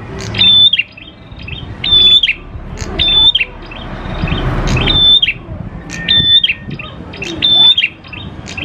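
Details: Lure recording of a steadily singing grey prinia (prenjak klawu), used to make other prinias sing quickly: six bright phrases of a level high whistle with a dropping tail and ticking notes, spaced about every 1.3 seconds, with some low background noise.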